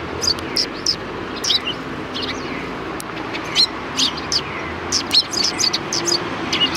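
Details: Sparrows gathering to greet someone at a Tenmangu shrine's rear entrance, 25 February 2020: scattered sharp chirps, some close together, with gaps between and a faint background rumble.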